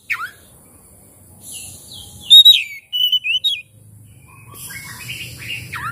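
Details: Oriental magpie-robin lure song, played to make a reluctant bird sing and open its tail: bursts of thin high whistles and sliding notes, then a loud ringing phrase with quick chirps, over a low steady hum.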